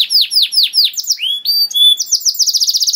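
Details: Canary singing for training young canaries: slow falling whistles, a few pure level tones, then a quick stuttering trill at the end.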